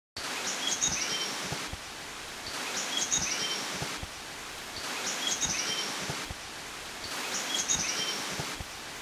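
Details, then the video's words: A Chestnut Bulbul gives a short, high, whistled phrase, repeated four times about every two seconds, over a steady hiss of background noise. "Chestnut Bulbul"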